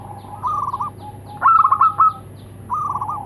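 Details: Local zebra doves, male and female, exchange calls: a short rolling coo, a louder quick burst of clipped repeated notes, then another rolling coo in reply.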